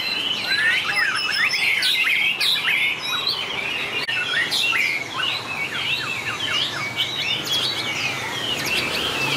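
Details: Contest song of white-rumped shamas. Rich phrases of whistles, sharp upward sweeps and clicking notes come about two or three times a second, with overlapping singers and some sudden high accents.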